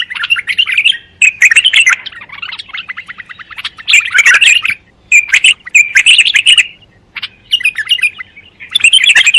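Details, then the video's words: Bulbul singing: bursts of rich, warbled and chattering phrases, each lasting about a second, with short pauses between them. The phrases come close together throughout and are loud and clear over a quiet background. "لصوت البلبل الجميل"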